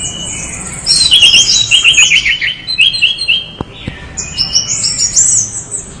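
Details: Energetic song of an orange-headed thrush: fast strings of bright, high chirping whistles, repeated notes roughly four per second, a brief pause, then a rising warbled phrase.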